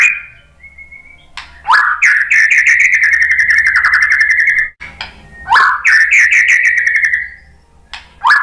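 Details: Song of a white-rumped shama, meant to prompt other birds to answer and sing: a brief thin whistle, then a fast rattling trill lasting about three seconds, and a second similar trill after a pause.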